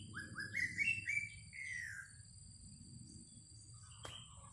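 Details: Decoy recording of a greater racket-tailed drongo: a quick run of rising whistled notes, about four per second, followed by a longer falling whistle. A single sharp click comes near the end over a low rumble.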